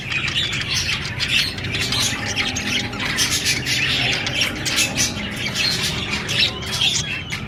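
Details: Budgerigar chatter: constant scratchy squawks and twittering in an unbroken stream, with a low droning hum underneath throughout.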